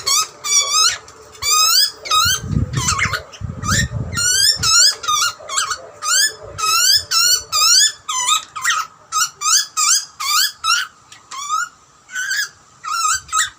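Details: Hungry wild butcherbird chick in Australia screaming for food as parents feed it; rapid run of short harsh upslurred screeches, roughly twenty in quick bursts, with a brief low rumble partway through.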